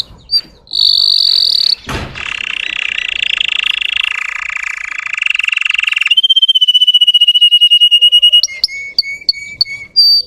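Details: Russian canary song used as a lure to rouse untrained young canaries: clear whistled notes, then a long buzzy roll, a rapid ringing trill and short sharp notes to close.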